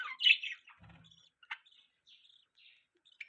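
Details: Pet budgerigars chirping: a loud scratchy warble at the start, then short chirps and soft trilled notes spaced through the rest, ending with a harsh chirp.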